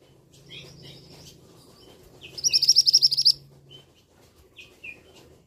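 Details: A male orange minivet gives a loud call: a quick run of about ten high, sharp whistled notes, with softer scattered chips before and after over a low steady hum.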